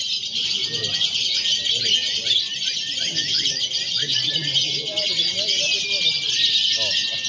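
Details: Mock lovebird contest with konslet, fighter and paud styles combined, meant to train birds before competing; dense shrill chatter full of rapid falling chirps, with long thin whistles drawn out in the second half.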